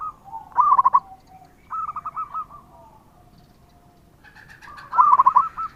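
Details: Lively local zebra dove song meant to lure other doves into replying. A loud stuttering coo, a softer string of even beats, a pause, then another strong rolled phrase.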